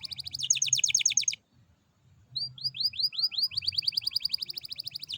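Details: Canary lure song used to prompt other canaries to sing: fast high trill, a short pause, then a long run of swooping whistled notes speeding up, over a low hum.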